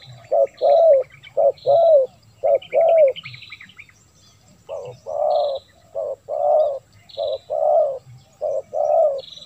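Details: Spotted dove call played to lure wild doves: bursts of low, rounded coos in short-long groups, a brief gap, then the series resumes, with high piping notes of other birds between phrases.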